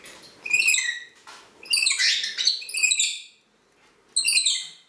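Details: Green-naped lorikeet squawking in harsh grating bursts: two short calls, a longer noisy run of chatter in the middle, a pause, then one final rasping squawk.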